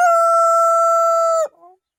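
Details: A long sustained morning crow from a rooster that crows non-stop: one loud steady harmonic tone held level for about one and a half seconds, then dropping away into a short soft trailing note and silence.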